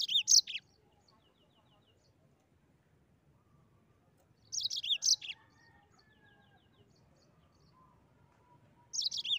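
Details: A Mozambique canary, singing in 'gacor ngeroll' style, delivers short bursts of high, rapid twittering notes spaced about four seconds apart, separated by near silence and a faint low hum.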